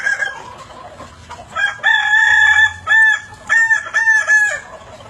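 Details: Kukuak Balenggek rooster crowing at evening in a stepped, broken pattern, about five short clear harmonic syllables separated by brief gaps, after a softer opening note.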